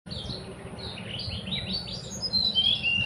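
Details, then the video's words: Sunda whistling thrush on a mountain, singing a continuous run of rapid high chirping and warbled notes that grow louder and sharper toward the end, with a steady low background rumble. "Suara burung teledekan gunung"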